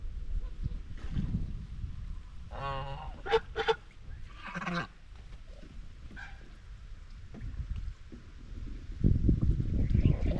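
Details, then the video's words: Domestic white Chinese geese in social talk amongst the flock while grazing on a homestead: a run of nasal, harmonic honks and short clipped calls in the middle, then quieter low rustling and rumble. "Eight Minutes of Natural Farm Sounds | White Chinese Geese"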